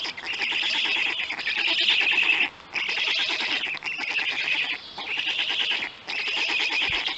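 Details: Black stork chicks at a nest in Poland during feeding time on an afternoon in late May, giving long harsh rasping wheezes in sustained bouts of one to two seconds with brief breaks.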